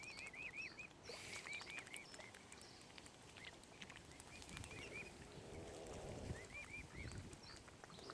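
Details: Tiny mute swan cygnets at Oxford Island Nature Reserve, Lough Neagh, Ireland, give thin, high, wavering peeping notes in short bursts of three or four, over a low rumble of wind and water.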